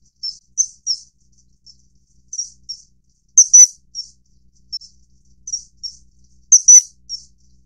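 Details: Common kingfisher during mating, giving short, shrill, high whistled notes singly or in quick doublets, about a dozen across seven seconds with quiet gaps between; two louder, sharper bursts stand out, otherwise near silence.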